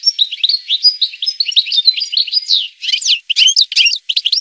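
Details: Goldfinch song with tinkling, liquid twitters that tumble together in a rapid, varied stream, then sharper, separated notes with brief pauses near the end.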